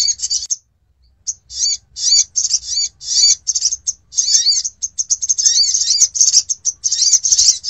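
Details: Sogon bird recording used as a lure for attracting birds: dense, high, scratchy chattering bursts in rapid runs with brief pauses, a short gap near the start, and a faint low rumble beneath.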